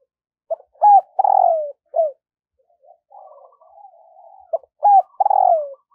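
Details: Decoy spotted dove in the morning calling wild doves in. A full phrase ends in a long, husky, downward coo. Soft murmuring coos follow, then the loud phrase begins again.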